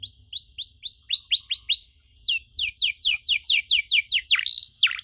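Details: Young canaries' tutor song: an adult canary in 'gacor' form repeats rising high whistles in a quick series, breaks briefly, then delivers a faster run of downward-sweeping notes ending in a deep dip.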